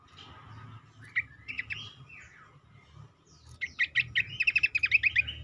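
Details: Cingcoang singing as a lure for other birds: scattered chirps, then a fast run of sharp repeated notes ending in a quick rolling trill.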